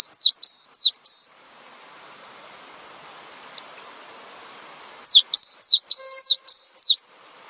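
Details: Cinereous tit singing on a recording meant to lure other birds into song. Two strings of clear, high, V-shaped whistled notes, four and then seven in quick succession, separated by several seconds of low background hiss.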